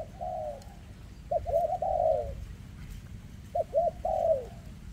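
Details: Spotted dove, a bird with a leg defect, from 2024, cooing in a recurring phrase: two short clipped coos and then a longer, falling, throaty coo, heard twice over a steady low hum.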